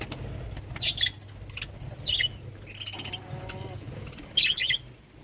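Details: Budgie calls: short, separate high chirps at irregular gaps, one buzzy rasping note near the middle, then a final pair of sharp chirps, over a constant low background hum.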